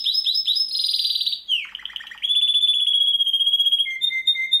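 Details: [8, 'Master song for contest birds: quick chirps into a buzzy trill, then long steady pure whistles shifting to a lower held note, loud and continuous.']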